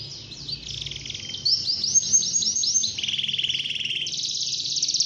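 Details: Canary singing loudly in the morning to prompt other canaries to sing: fast high trills and rolling chirps, shifting between pitches, with a lower buzzy trill near the end.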